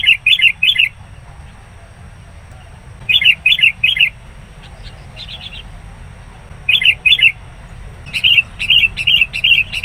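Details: Sooty-headed bulbul, a decoy for catching wild birds, reacting fiercely to a rival; clipped phrases of three rich chirped notes repeated at intervals, ending in a faster run of similar notes.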